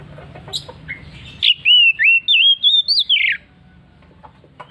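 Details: Oriental magpie-robin in a ngeplong ngotot singing bout: after a soft lead-in, a strong phrase of about seven rich whistled notes rising in steps, then dropping steeply at the end.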